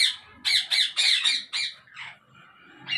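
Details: Rose-ringed parakeets in a breeding colony setup in Pakistan, 2022, give a burst of five harsh, rasping squawks in quick succession, then a softer trailing call and a final squawk starting at the end.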